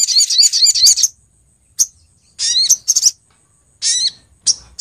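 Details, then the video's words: Lure recording of a female Brown-throated Sunbird calling to males: a rapid run of high twittering notes, then scattered short bursts of sharp, rising chirps with silent gaps between them. "suara pikat sogok ontong betina memangil jantan"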